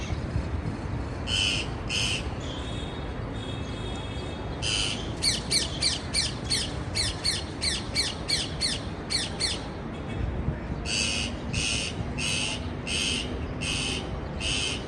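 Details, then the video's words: Parakeets give harsh, screechy squawks in quick runs of about two per second, with pauses between bursts, over a steady background hiss. "Parkeet Birds Sound"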